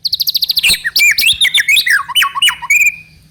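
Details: White-rumped shama song used as a lure for another bird: a rapid even string of high chips, then a dense tumbling medley of whistles, trills and swoops, ending on a steady whistle.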